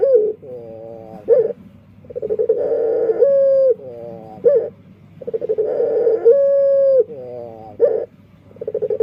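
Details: Unusual-voiced burung puter dove repeating a patterned phrase about every three seconds: a rippling, quavering stretch, a smooth held tone that drops at its end, then a quick rising flick, with short silences between.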